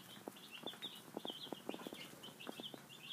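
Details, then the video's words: Five-day-old chicks feeding, their high peeps running on steadily over a rhythmic series of knocking pecks against the feeder. "Baby Chicks 2015"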